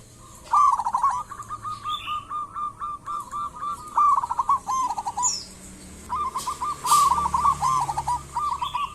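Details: Local zebra dove in full song, used as a lure to set other birds calling: long strings of quick rolling coos repeated almost without pause, with a few higher chirps from other birds in the background.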